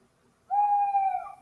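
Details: An owl, a true owl rather than a barn owl, gives a single steady, hollow hoot lasting under a second, held at one mid pitch before trailing off; nothing else is heard.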